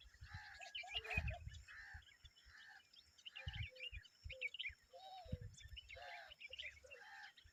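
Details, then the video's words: Common babbler mother and young being noisy: scattered high chirps and squeaks mixed with short low downslurred notes, broken by low thuds and rustling. "The common babbler and her babies are making noise"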